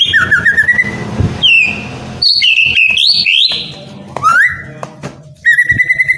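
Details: White-rumped shama kept in captivity, song used to encourage idle birds to sing: varied whistled phrases, rising and falling slurs, sharp upward sweeps and a final run of repeated notes, with low rumbling noise beneath.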